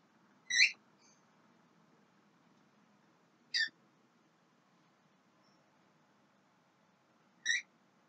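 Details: Young Javan myna giving three brief, harsh calls spaced about three seconds apart over a steady low hum.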